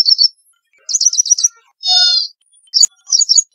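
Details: Ashy prinia in Rajasthan, India, giving high, thin chips and quick rattling trills, broken by one buzzy, nasal note; a sharp click sounds near the end.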